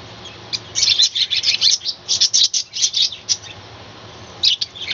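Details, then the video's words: Budgerigar colony kept on a balcony, calling in the morning: a dense run of rapid high chirps and warbling notes for about three seconds, a short pause, then a few more chirps. "কলোনিতে পাখির ডাকাডাকি এবং চেচামেচির সুন্দর শব্দ Birds Call"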